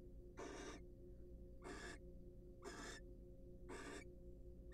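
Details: Barn owl pair, wild, in a nest box while preening and courting; loud rasping hiss-screeches spaced a little over a second apart, four bursts in all, with constant low electrical hum beneath.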